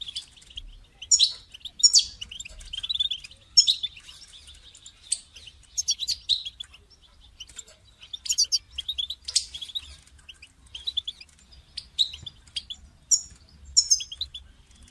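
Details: European goldfinch song used to motivate a caged goldfinch to sing: a long series of short twittering, tinkling bursts and chirps, repeated roughly every second, steady and clear.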